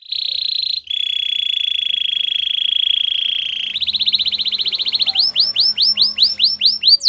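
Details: Belgian canary holding a long buzzy trill that drops slightly in pitch, then speeding into rolled notes that open out into separate, rising-and-falling whistled sweeps.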